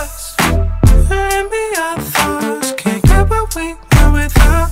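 Music with a melodic vocal line over strong bass beats; no animal sound is heard.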